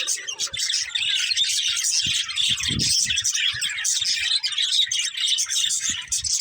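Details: Several budgies keep up a steady wall of high, scratchy chatter and quick tweets, broken only by a few dull knocks, one louder thump near the middle.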